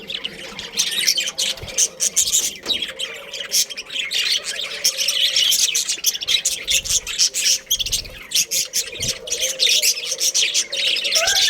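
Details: Continuous high, scratchy warbling from a budgerigar breeding pair, fast chirps and squeaky notes running almost without pause, one brief lower squawk near the middle.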